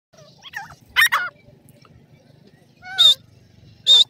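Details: Grey francolin (teetar) female calling while chicks fight: soft falling slurred notes, then two loud, short, high squeaky notes near the end, each paired with a whistle sliding downward; faint low rumble beneath.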